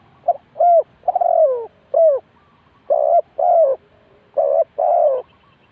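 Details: Ninh Thuận spotted dove serving as a decoy at a bird trap. It gives a run of hoarse coos: short clipped notes, a long sliding coo, then steadier flat-topped coos in pairs, each about half a second long.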